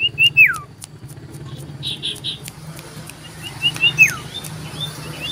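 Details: Common iora calling loudly in search of a rival, December 2022: a pair of whistled phrases, each a short note followed by a long downward-sliding slur, separated by a few seconds of quieter chirps.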